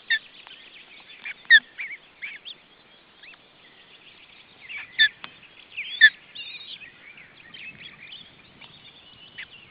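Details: Ospreys at the nest during June 2012 family life in Estonia: sparse sharp whistled chirps and short slurred notes, a few seconds apart, over a quiet crackling background.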